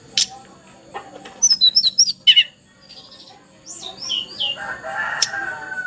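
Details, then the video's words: Young Sunda blue robin, still a juvenile yet in full song: high, quick whistled notes in a lively varied phrase, rising and falling slurs, with a second burst of sweet descending whistles and background rustling. "Parah masih trotol tapi sudah gacor dor"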